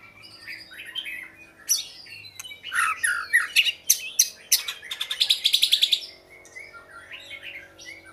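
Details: Oriental magpie-robin pouring out a lively song of sliding whistles and sharp notes, building to a rapid rattling trill before quieting.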